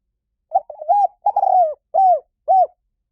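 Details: Spotted dove cooing: a stuttered opening run of soft notes, then a longer falling coo, followed by two separate arched, hollow coos, all clear and close with a silent background.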